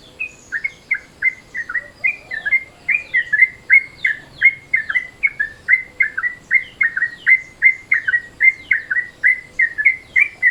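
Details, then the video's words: Rapid chattering lure call of a Yellow-vented Bulbul in midday mode: crisp, slurred chirps repeated about three times a second in a long, slightly uneven run. "SUARA TRUCUKAN MODE SIANG, BISA NIH BUAT PANCINGAN"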